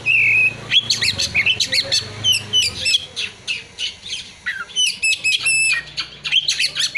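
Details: Oriental magpie-robin delivering song with imitated prinia and sunbird calls: an opening steady whistle, then very rapid stuttering chirps and trills, sharp clicks and short bright whistled notes, over a soft low hum.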